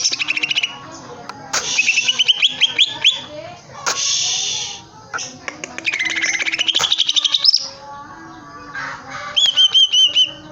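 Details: Greater green leafbird kept in a cage, singing actively and striking the cage: varied loud song of rapid chattering notes, rising whistled sweeps and buzzy passages, with sharp clicks scattered through.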